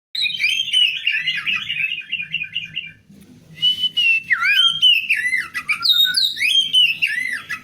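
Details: Female oriental magpie-robin, used to lure a silent male into singing; a rapid warbling trill for three seconds, a brief pause, then clear whistled notes swooping down and up, over a faint low background hum.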